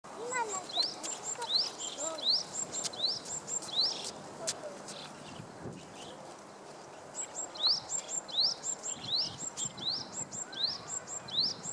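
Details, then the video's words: A Japanese tit gives its spring song: bright, high two-note phrases, a sharp note and a quick upswept whistle, repeated rapidly in runs broken by a brief pause. "シジュウカラ 春のさえずり"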